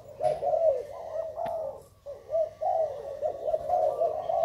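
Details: Continuous low cooing of a Thai spotted dove, soft rounded notes rising and falling in connected phrases, broken by one short pause and a sharp click near the middle.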